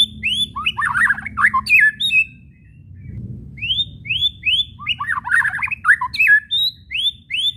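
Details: White-rumped shama whistling and chattering (kretekan) meant to provoke other shamas to sing: series of rising whistles alternating with dense scratchy chatter bursts, a short gap midway, faint low background rumble.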